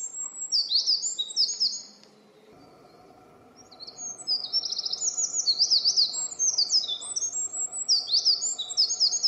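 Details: A Eurasian wren sings on 21 May 2017 in a dim spot, pouring out loud, very high, rapid trills and chattering notes in fast bursts, with a brief pause before resuming over a faint low hum.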